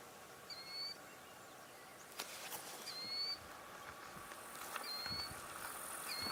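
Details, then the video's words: Killdeer calling repeatedly from an unseen spot: four short, high, slightly falling notes spaced about two seconds apart, over steady background hiss with a brief clatter. "you're hearing killdeer repeatedly."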